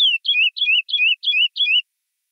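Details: Captive Chestnut-bellied seed finch (Sporophila angolensis), recorded directly from the bird without noise removal, gives the classic 'praia' song: six clear, whistled two-note phrases, each a high note slurring down, about three per second.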